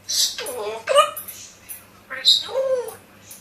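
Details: Parrot speaking in two quick human-like utterances, each with bright, bending harmonic tones and breathy onsets, separated by a brief pause.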